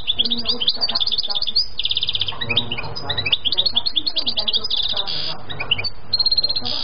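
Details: Goldfinch song in rapid twittering phrases, mixing liquid chirps with brief buzzy rattles repeated several times a second, with a faint low hum behind.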